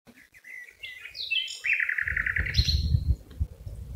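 Common nightingale singing varied whistled phrases, then a fast run of rich repeated notes. A low rumble, likely wind, comes in halfway through.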